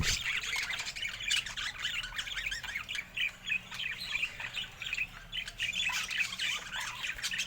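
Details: Several colorful pet budgerigars keep up a continuous rapid warbling, with fast twittering chirps and short squawks overlapping throughout.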